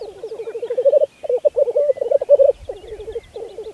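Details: Low, pulsing rookoo bubbling of black grouse at a spring lek, Saaremaa, Estonia, 2014, in short rolling phrases separated by brief gaps.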